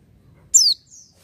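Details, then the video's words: A single thin, piercing note from an oriental white-eye, sweeping quickly downward from very high pitch, followed by a softer, fainter high trailing tone; said to sing without supplements. "pleci buka paruh tanpa doping gacor dor"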